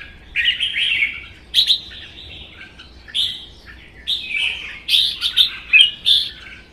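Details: Singing contest between caged red-whiskered bulbuls in Vietnam, a captive-bred bird and a wild-caught adult; short, cheerful whistled phrases follow one another quickly, each a bright slurred warble with sharp accents.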